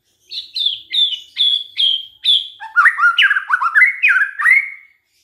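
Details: White-rumped shama lure song for provoking other shamas: five evenly spaced high, slightly falling whistles, then a quicker string of looping, rising and dipping whistled notes.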